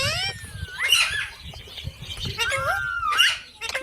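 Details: Parrot giving harsh, harmonic screeching calls and sliding whistles in quick succession, with low rumbling noise underneath.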